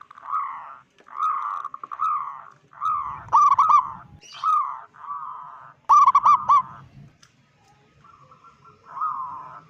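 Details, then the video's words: Local zebra dove with a big voice, its call used to alarm rival zebra doves: a series of rounded cooing notes about once a second, broken by two rapid clusters of sharp stuttering notes. "Perkutut lokal gacor suara besar - Panggilan perkutut Ampuh BIKIN PANIK perkutut lain"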